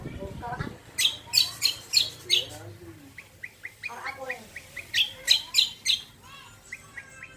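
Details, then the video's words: Lure song of the greater green leafbird (cucak kombo), meant to set other birds singing: runs of strong, sharp chirps alternating with softer, quick twittering notes, with a low background hum. "PANCINGAN BURUNG CUCAK KOMBO KECIAL KOMBO BAHAN MANAPUN LANGSUNG NYAUT"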